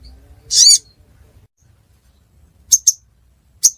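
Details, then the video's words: Ruby-cheeked sunbird recorded in Pidie, Aceh: one loud, harsh, high chirp, then a quiet pause. Three brief, sharp ticks come near the end against a soft background. "Burung Sogon Suara Durasi Panjang"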